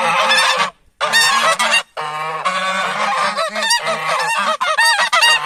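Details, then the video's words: Geese reacting to approaching humans with a loud, continuous chorus of harsh, nasal honks from many birds, broken by two short pauses near the start. "The Natural Sound of Geese when Humans Approach Them."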